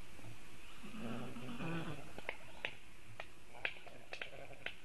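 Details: Black stork at its nest on a Latvian webcam, 27 July 2018 at 10:11, defending the nest while a raptor is around; a low, grating harmonic call about a second long, followed by sharp scattered clicks and taps.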